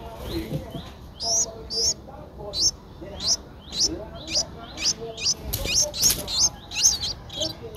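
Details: Ten-day-old Streak-eared Bulbul nestling in Ubon Ratchathani, Thailand, 12 April 2023, giving a series of sharp, high, upward-flicking chirps about every half second, with some rests, over a low background murmur.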